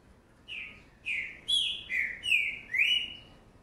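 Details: A young green-winged saltator from 2019 gives a quick run of six rich whistled notes, each sliding down or up in pitch, rising toward a brighter final upslurred note.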